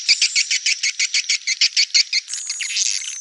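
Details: Rapid, evenly spaced swiftlet chirps, crisp and high, repeating roughly three times a second, then giving way to a fainter continuous high buzz toward the end.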